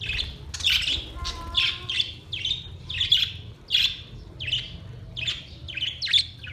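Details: Budgies singing: a steady run of bright, buzzy chirps repeated about every half second, with a faint low hum underneath.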